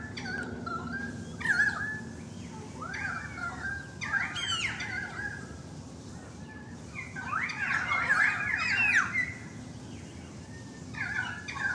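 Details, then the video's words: Currawong chorus at a balcony: overlapping whistled glides and rougher squawky notes in dense bursts, busiest near the middle and end, with brief quieter gaps. "The Currawong Song"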